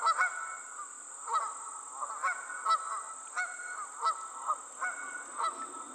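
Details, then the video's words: Geese calling on the wing, a series of harsh honks with stacked harmonics, spaced roughly one to one and a half seconds apart over six seconds, with a steady high whine running behind. "Geese On The Wing"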